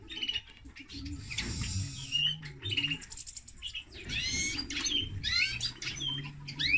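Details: Linnet-canary hybrid sings broken, scratchy phrases and steep upward sweeps, pausing briefly, then bursts into rapid chirps, while a low background drone runs throughout.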